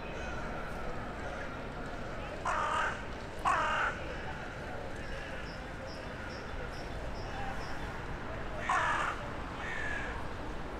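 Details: A crow living in a town centre calls on an evening of 23 January 2021, communicating with others flying in for the night: two harsh cawing bursts, then two more near the end, over a steady series of faint high pips.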